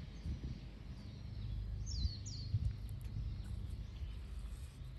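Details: Two sharp, high, descending chips from a wagtail, spaced less than half a second apart, on 12 November 2024; a continuous low-pitched environmental hum and a few dull knocks run underneath.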